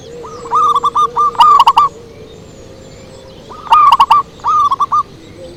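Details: Zebra dove lure song: phrases of quick rolling coos, a soft one leading into a loud one. After a pause a second pair repeats the pattern, over a low steady hum.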